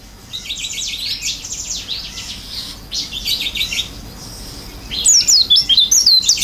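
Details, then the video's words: Oriental white-eye in gacor isian song with open beak. Buzzy, scratchy high twittering fills the first part, followed near the end by a clear run of quick, looping whistled notes. "pleci gacor isian buka paruh"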